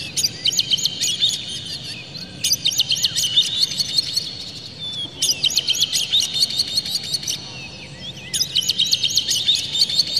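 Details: Oriental magpie-robin in an agitated state with tail spread, in full song with added material, used as a lure to provoke other magpie-robins. Four bursts of rapid, high, ticking and chattering notes with brief pauses between them.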